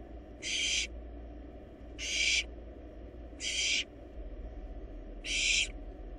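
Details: Four breathy, rasping screeches from wild barn owl nestlings swallowing a large rabbit in a nest box, irregularly spaced, over steady low hum.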